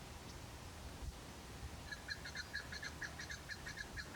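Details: A chukar partridge in the mountains of Pakistan gives a quick run of harsh clucking chuk notes, about three or four a second, after a quiet start over a low background rumble.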